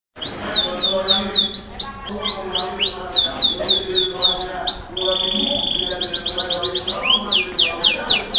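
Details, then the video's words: Yorkshire canary giving a loud song likened to a lion's roar: fast series of high, downward-sweeping whistled notes repeated several times a second, a steady held tone, then rapid rattling trills, with a faint low hum underneath. "burung kenari yorkshire suara keras auman singa bird canary big lion"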